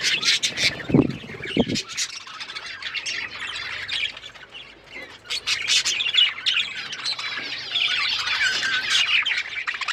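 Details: Budgerigars kept as pets giving a continuous stream of rapid chirps, squawks and warbled notes, with a few lower thuds near the start and loud bursts of chatter throughout.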